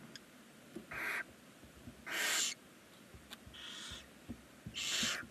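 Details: Barn owl chicks, nine at 19 days old, in a chimney nest box in Ságvár, Hungary, give harsh hissing screeches, some with a tonal whistled edge, in four bursts about a second apart, alongside faint scratchy clicks.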